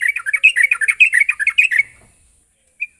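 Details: Lure recording of a sooty-headed bulbul, meant to prompt a bird to sing steadily: a rapid, chattering run of short warbled notes lasting under two seconds, followed by silence and a single brief high note.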